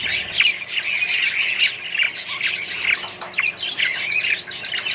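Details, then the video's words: Colony of budgies and other birds gives a loud, unbroken mix of scratchy squawks, chirps and warbled phrases, many birds calling together at high pitch. "australian budgies parrots & more birds colony"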